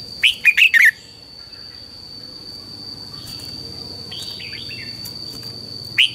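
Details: Red-whiskered bulbul singing in the morning, a lure recording for training other bulbuls: a quick burst of four loud warbled notes at the start, then quiet with a steady high whine and faint distant chirps, and one last note at the end.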